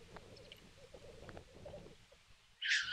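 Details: Black grouse fighting at a lek in Kuusamo, Finland, in snow, May 2021: a low, bubbling, dove-like rookooing rolls on steadily for two seconds, then a sudden loud, harsh hissing sneeze cuts in.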